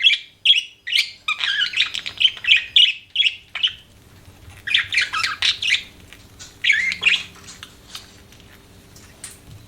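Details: Pet budgerigars chirping indoors: dense bursts of harsh, buzzy chatter and squawky notes in quick succession, pausing briefly near the middle before resuming, with a faint low hum underneath.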